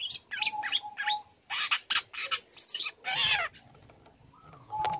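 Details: Young long-tailed shrike in song, played to spark other shrikes into calling: harsh rasping bursts mixed with short high whistles and chips, a steady thin whistled tone appearing between phrases.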